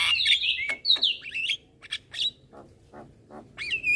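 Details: Young black-winged myna chattering continuously while bobbing its head: loud slurred whistles and squeaky rising notes in quick bursts, then softer clicks and a final rising whistle.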